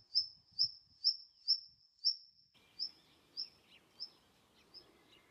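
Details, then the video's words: Rock nuthatch (Sitta neumayer) of a nesting pair at crags in Prespa, Greece: sharp, very high whistled notes repeated roughly twice a second, fading later as faint chatter and soft noise come in. "Rock nuthatch (Sitta neumayer) in Prespa"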